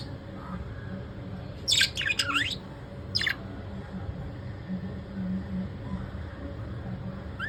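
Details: Pet lovebirds in the evening giving a few short, harsh squawking bursts in a quick cluster, then one more squawk a second later, over a steady low background hum.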